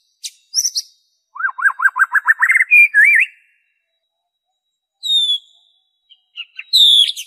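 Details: White-rumped shama singing original song with no mimicry, played to draw out caged birds: a quickening series of looping whistles, a twisting phrase, then thin high slurred whistles after a pause.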